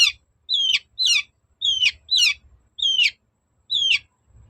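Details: Long-tailed shrike song used as a lure to provoke a reply from other shrikes: loud, sharp, harsh notes that slur downward, given in quick bursts about every half second with short pauses, over faint low rumble.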